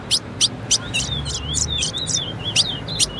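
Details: Female ultramarine grosbeak singing, a recording meant to set males singing; sharp high chips repeated about three times a second, with a soft warbled whistle running between them over low background hum.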